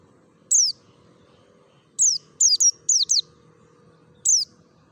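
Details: Mountain white-eye, Merapi variety, in forest-style voice used to coax caged white-eyes to sing: seven piercing descending whistles, a lone note, a tight cluster of four, then another single, with soft low hum behind.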